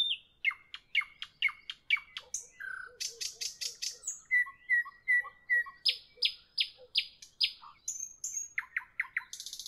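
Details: Nightingale singing in the evening, a rich varied phrase of rapid repeated chirps, a dense buzzing burst, a string of steady whistled notes, loud falling sweeps and a final rattle.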